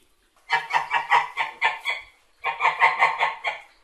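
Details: White domestic geese calling: two bursts of rapid, nasal, cackling honks, about six to seven per burst, harsh and loud with rough tone, separated by a short pause.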